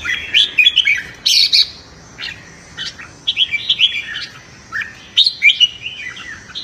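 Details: Caged red-whiskered bulbul in morning voice training and competitive singing: short, lively whistled phrases, rising and falling, broken by brief pauses, with a few sharp high chirps among them.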